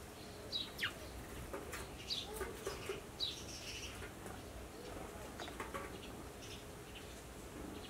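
Chestnut-tailed Starling giving brief, high squeaky chirps and short downslurred notes at irregular intervals, over a steady hiss with soft fluttering sounds.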